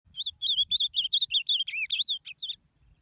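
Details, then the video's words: Ultramarine grosbeak song used to excite other birds: a fast, lively run of clear warbled whistles that rise and fall, notes following each other rapidly for about two and a half seconds in a quiet setting. "esquenta azulão 🔥🔥🔥!!!! seu azulão vai ficar louco"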